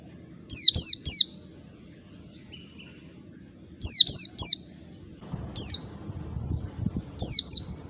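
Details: Wild oriental white-eye used as a lure recording: clusters of three thin, high, sharply falling whistled notes, repeated every few seconds over a low, steady background rumble.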